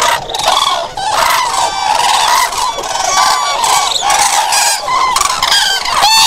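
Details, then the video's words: Overlapping loud calls of common cranes: harsh, ringing trumpet notes from many birds merge into a continuous din, ending with one sharper, rising call. "Common Crane musical chords"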